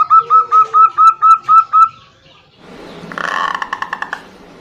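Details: Female zebra dove calling the male as a big-voiced local male answers: about eight regular, ringing coos with a faint lower tone beneath, followed by harsh broadband noise with rapid clicks.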